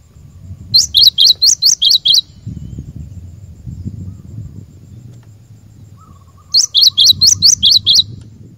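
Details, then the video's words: Cinereous tit singing, used to train caged birds. Two bouts of quick, high, repeated notes are separated by a gap filled with low rumbling background noise and a brief faint tone. "Burung Glatik Batu Pikat Gacor"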